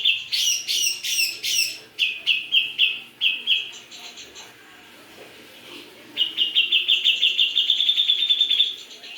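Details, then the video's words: Greater green leafbird, Javan green leafbird, in full song: bursts of bright chattering notes, then a run of clipped whistles, a pause, and a long fast series of rapid repeated high notes with faint background noise. "Cucak jengot gacor"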